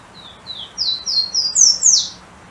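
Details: Golden-crowned warbler singing: two soft descending introductory notes, then a string of five clear, high, flat whistles rising step by step, ending in a falling slur, against faint background hiss.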